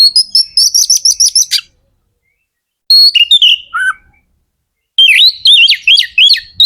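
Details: Magpie-robin song meant to spur other magpie-robins to sing. A rapid trill of repeated piercing notes is followed by falling whistles and a lower slurred note. A final burst of jerky, zigzagging high phrases closes the clip.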